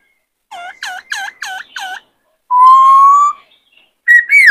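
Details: Caged male White-cheeked laughingthrush, excited by a newly caught bird, gives five quick looping whistled notes, then one long, steady, slightly rising whistle and a brief upturned phrase.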